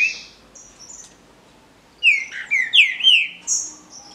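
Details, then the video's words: Captive green-winged saltators in a song contest: a high thin whistle at the start, then a rapid phrase of five loud, slurred, falling whistles with sharp high chips above, finishing on a high drawn-out note. "DISPUTA DE CANTO (TRINCA FERRO)"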